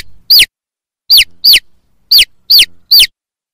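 A chick gives six shrill, high peeps, each sliding sharply downward, at an uneven pace over three and a half seconds. Nothing else is heard.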